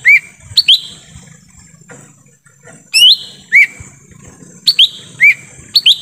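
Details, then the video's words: Forest recording of a lesser green leafbird, meant to lure wild birds: a pair of sharp rising whistles, a lull, then quick clusters of similar upswept notes over a faint high hum. "suara asli pikat cucak ijo mini di hutan"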